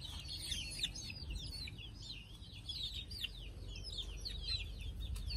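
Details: Chicks settling down to sleep, a chorus of many high, thin peeps overlapping continuously, with steady low rumbling background noise.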